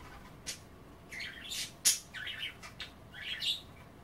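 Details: Budgerigars nibbling kale in water at bath time: short bursts of scratchy warbling chatter and sharp chirps, one loud click near the middle, within a quiet room.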